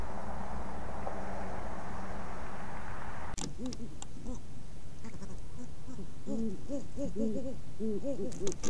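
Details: Male great horned owl courting his mate while bringing her a vole, giving a rapid run of short, arched, nasal notes, about three per second, after several seconds of low rumbling background noise.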